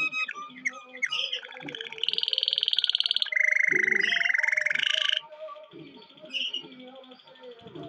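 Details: Male canary in full mast, singing: scattered chirps build into loud, fast buzzy trills from about two to five seconds, one dropping lower and then rising, then softer chirps resume; low background music or voices underneath.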